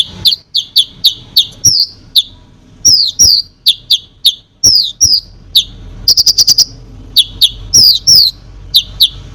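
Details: Konin song for provoking other birds: a steady string of sharp downslurred chirps roughly every half second, broken by one very rapid burst of high notes midway.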